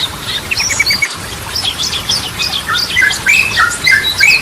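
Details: Yellow-vented bulbul in full gacor song, one of several styles (Ropelan, Goklikan, Garudaan) meant to coax silent birds into singing. Dense overlapping chirps and quick sweeping notes, then brighter whistled phrases near the end, over constant hiss.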